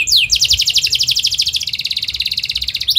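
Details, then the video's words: Atlantic canary in rapid, dense rolling song used as a model for young canaries: a sweeping opening note followed by a steady, fast trill of evenly spaced chirps lasting nearly three seconds. "KENARI GACOR SPEED RAPAT EMOSI CUIT CUIT NGEROLL AMPUH UNTUK PANCINGAN KENARI PAUD BELAJAR BUNYI"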